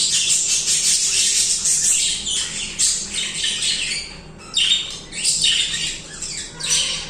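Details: Budgies singing and chirping in a busy group, high buzzy warbling with squawks, a brief dip in volume before a loud sharp call and renewed chatter.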